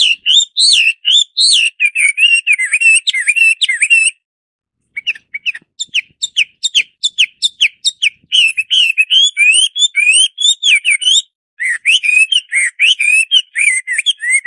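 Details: Hwamei (Chinese Hwamei, Garrulax canorus) pouring out a rich, varied song of clear whistled and warbled phrases, fast and continuous, broken by a short pause near four seconds and another near eleven; no other sounds stand out.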